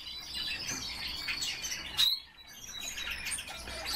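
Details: Pet common starling kept in captivity, asked to sing, gives a steady high whistle under a jumble of chatter, broken by a sharp squeak midway, followed by renewed scratchy warbling.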